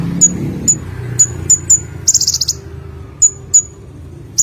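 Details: Olive-backed sunbird (konin) repeating very high, thin down-slurred tsip notes about every half second, with one rapid buzzing trill in the middle, in a quiet setting with faint low hum.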